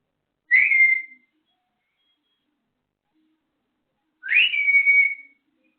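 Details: Captive African grey parrot whistling, two clear, sharply rising whistles that level off into a steady held note, separated by about three seconds of silence in a quiet room.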